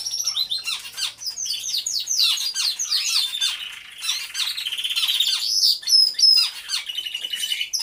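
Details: Many canaries in an aviary, recorded by a hidden camera as they sing: rapid chirping notes and descending sweeps run into long buzzy rolling trills, with thin piercing whistles near the end.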